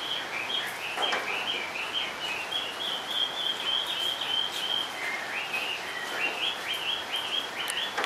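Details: Caged Chinese hwamei singing steadily from its perch: rapid series of short repeated whistled notes and slurs, phrases recurring many times in quick succession over a constant background hiss.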